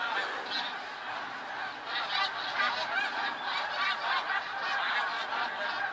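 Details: Huge snow goose flock, February 2013: overlapping honks swell and pulse, a continuous babble of high nasal calls with closer birds giving louder bursts.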